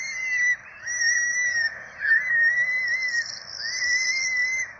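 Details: Begging by four peregrine falcon chicks during a feeding at the nest, Rome, 12 April 2024: sustained high, slightly quavering whining cries in long runs, briefly broken between rising starts and drooping ends.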